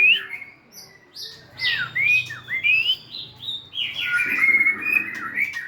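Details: Melodious White-rumped shama song as the bird dances and wags its tail: flowing slurred whistles rising and dipping, steady and continuous, ending in bright sustained notes.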